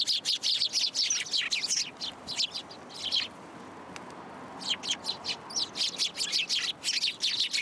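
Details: A flock of sparrows gathering to be fed at Tenmangu shrine on 27 December 2022 chatters in dense, rapid high chirps, pausing briefly mid-way before the busy chirping resumes.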